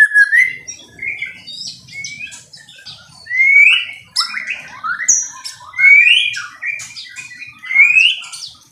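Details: Loud fighting song of a white-rumped shama: varied whistled phrases with upward sweeps, high sharp notes and buzzy twitters, in bursts separated by brief softer pauses.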